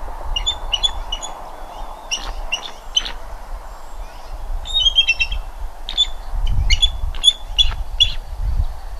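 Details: Bald eagle at a nest near Redding, recorded 25 April 2021 at 07:00: several bursts of high, thin, piping notes with harmonics, each burst a quick stuttering run of chirps, over a low rumbling background.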